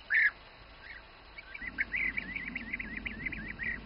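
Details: Bee-eater feeding its young in the Přerov region, Czech Republic, gives one loud rolling note, then a quick run of short, trilled, liquid notes at a similar pitch, over a low background rumble.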